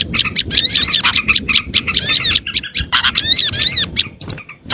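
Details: Lure recording meant to attract small birds: a dense chorus of overlapping chirps, squeaky twitters and whistled, up-and-down trills, with short pauses between bursts and no other sounds.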